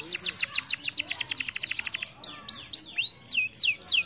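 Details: Canary stimulating song for other canaries: a rapid, clipped rattling trill of sharp notes for two seconds, then slower, loud whistled notes sweeping downward in an uneven series.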